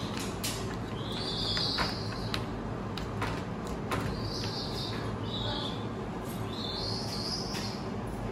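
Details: Captive Malaysian (Brown) wood owl at an owl cafe in Shinsaibashi, Osaka, calling at feeding time while eating meat: harsh, hissing screeches about a second long, four in eight seconds, over a low rumble and occasional clicks.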